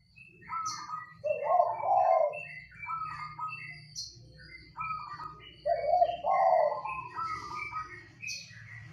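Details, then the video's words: Local zebra dove, kept in a rattan Mataraman-style cage, singing actively: rolling, cooed phrases with a low burry trill that steps up into clipped higher notes, repeated in bursts a few seconds apart against a faint low hum. "Perkututut Lokal Gacor"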